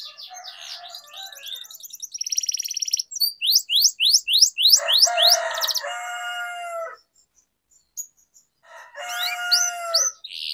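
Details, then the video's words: Canary lure song for training young or stalled canaries: chattering trills, a steady buzz, loud rising sweeps, then long harmonic tones, a pause and a final burst of sweeps. "Canary Singing Training, Kenari Gacor Ngerol Panjang,Pancingan Kenari Macet, Masteran Kenari Paud"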